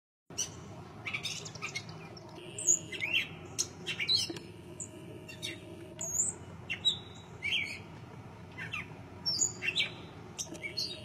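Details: Gray catbird (Dumetella carolinensis), song.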